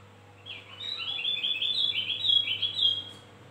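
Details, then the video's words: Bright, fast-paced warbling of a Javan grey-throated white-eye, played to attract birds; high chattering notes flow continuously for about three seconds above a soft mechanical hum. "Opior Jawa pancingan gacor dor"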